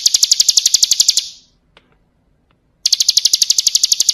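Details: Bar-winged prinia (ciblek kristal) training song: a rapid, high, metallic trill ends, a pause of about one and a half seconds with a faint tick, then the fast trill resumes.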